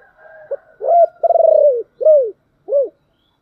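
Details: Spotted dove in the deep 'thổ đặc' voice style, calling as a decoy to stir wild doves: a short low note, a rounded coo, a long vibrating pulsed coo, then two clean, arched, falling coos.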